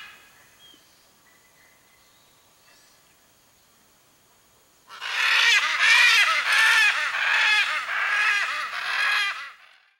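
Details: Blue-and-yellow macaw calling to locate its mate. About five seconds of near silence, then loud, harsh, raspy squawks in a rapid, fairly regular series for about four seconds before fading out.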